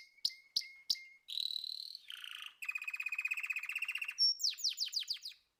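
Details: Canary song: three sharp chips, then buzzy rolled trills and a long pulsing trill, ending in a quick series of descending whistled notes.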